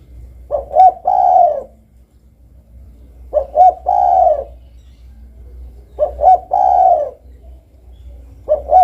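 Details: Repeated cooing of a spotted dove, a three-part phrase of two quick coos and a longer mellow note, given about every 2.8 seconds, three full phrases and the start of a fourth.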